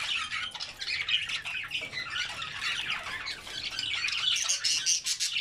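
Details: Busy chatter from a group of albino budgerigars with red eyes, eating vegetables: continuous overlapping high chirps, harsh squawks and warbled notes that never pause, with faint wing flutters.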